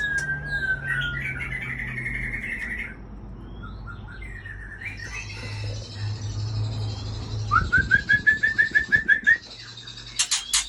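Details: White-rumped shama from Aceh in varied song: sliding whistles and warbled phrases, then a fast run of about a dozen short, rising notes, ending in sharp clicking notes, with a steady low hum throughout.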